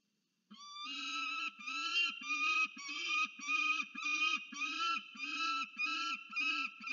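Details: Peregrine falcon at the nest in Orange, New South Wales, Australia, 10 January 2024, seen on a research nest camera: steady series of about ten harsh, nasal wailing calls delivered roughly twice a second.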